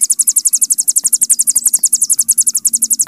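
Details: Hill prinia in rapid continuous trilling, the 'bren panjang' style used to train songbirds: very high, evenly pulsed metallic notes running unbroken for three seconds.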